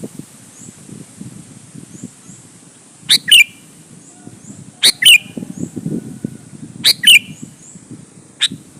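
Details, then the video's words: Sooty-headed bulbul singing loudly, used as a lure to press rivals and provoke other bulbuls to answer and sing; three short bright whistled phrases, each a quick falling double note, spaced about two seconds apart over a low background rumble. "suara burung KUTILANG GACOR MENEKAN LAWAN"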